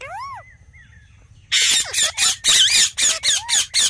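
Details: Ringneck parrot: a couple of swooping whistled notes and a thin tone, then after a near-silent gap a loud series of harsh, screeching squawks about four per second.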